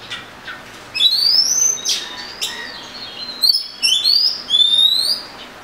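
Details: Murai kampung, the Oriental magpie-robin, singing long sweet rising whistles and bright slurred phrases in bursts, each lasting about half a second, separated by brief pauses.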